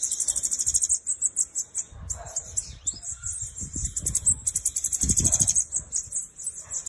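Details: Bananaquit (Coereba flaveola), song.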